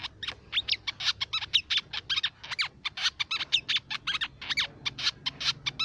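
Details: Crimson sunbird song for luring songbirds: clean, rapid bursts of high, sharp chirps and quick slurred twitters, closely packed and energetic, with little background sound.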